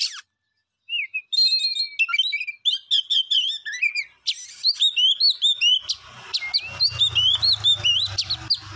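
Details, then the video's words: A songbird sings a fast, varied run of clear, high whistles, slurred notes and rapid chirps, with a faint low hum in the background. "Beautiful song bird"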